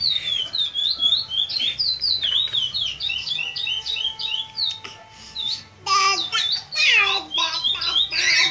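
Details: Eight-month-old chestnut-bellied seed finch, a young bird from southern São Paulo practising the praia grande clássico tournament song: quick, downslurred whistled notes in a steady stream, then louder mixed sounds and music take over near the end.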